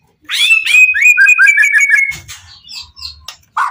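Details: White-rumped shama in full emotion, singing to lure other shamas into replying: a rapid string of short whistled notes at a steady pitch, then softer scattered chirps and low knocks.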